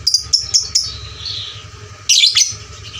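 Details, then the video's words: Lovebird sound played as a lure to train fighter lovebirds: four quick high chirps, a soft fading warble, then a sudden harsh squeaky burst after two seconds, over a steady low hum. "pancingan LB FIGHTER volume suara kerasnya paling gesit ciptakan lovebird fighter juara"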